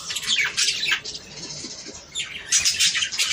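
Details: Budgerigars warbling to prompt breeding, loud scratchy chatter bursts at the start and end separated by a quieter stretch of softer twittering.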